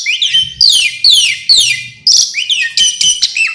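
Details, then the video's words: Varied song of an Asian pied starling, sweeping downslurred whistles repeated about twice a second, ending in harsher, buzzy, broken notes. "Kicau jalak suren full isian pariasi"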